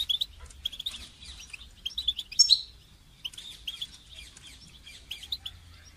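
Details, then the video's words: Goldfinch song meant for songbird training: a fairly continuous run of high, liquid twitters and chirps with one louder buzzy peak, then a quieter stretch of chatter. "Motivating goldfinch song training inspiring melodies and techniques"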